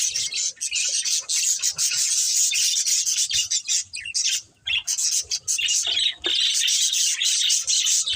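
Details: Near-continuous budgerigar chirping: a thick wash of high warbles and squeaks, briefly dipping around four and a half seconds.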